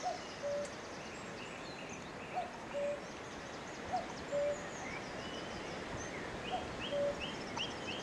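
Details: A cuckoo calling from a tree, recorded May 3, 2018, near horses, gives a steady series of cu-coo pairs with the second note dropping. Other songbirds chatter at higher pitch through noisy rural background.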